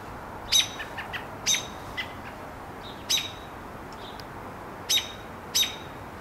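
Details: An American robin alarm call: sharp, clipped high notes at uneven intervals about a second apart, with softer chips between, over a faint steady hiss.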